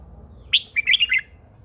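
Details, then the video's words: Red-whiskered bulbul, a caged, old wild-caught female that rouses males to sing. A single rich phrase: a bright upslurred opening note, then a rapid bubbling cluster of warbled, liquid notes lasting under a second. "Chào mào MÁI GIÀ RỪNG || Chào mào MÁI THÚC TRỐNG căng lửa"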